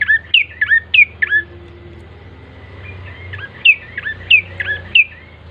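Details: Lure recording of a bar-winged prinia to get birds singing quickly: rapid, repeated, bouncy chirped notes, each dipping then rising, in two runs separated by a quiet gap of about two seconds.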